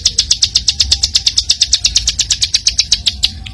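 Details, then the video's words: Bar-winged prinia song played as training material for songbirds: a fast, steady run of sharp, high, ticking notes, roughly five per second, over a low rumble of traffic. "Masteran Burung Ciblek Super Gacor"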